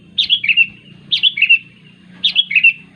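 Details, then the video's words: Three evenly spaced phrases from a sooty-headed bulbul calling its companions, each a quick run of three or four liquid chirps sliding downward, with faint hum below. "Suara Burung Kutilang Memanggil Teman"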